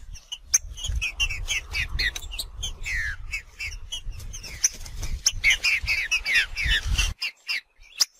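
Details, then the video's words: Green-winged saltator singing in the wild: rapid, repeated down-slurred notes, mid-high in pitch, over sharp clicks and a low rumble of wind or handling. "TRINCA FERRO MACHEANDO"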